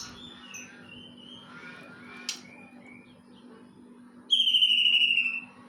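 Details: Greater green leafbird singing kingfisher material: soft scattered whistled notes, a sharp click, then a loud harsh descending whistle with ringing overtones lasting about a second, over a low steady hum.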